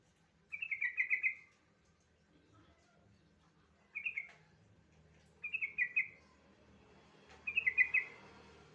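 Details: Prompting song of a yellow-vented bulbul meant to spur untrained birds into singing: four brief, liquid chattering phrases spaced one to two seconds apart over a quiet background.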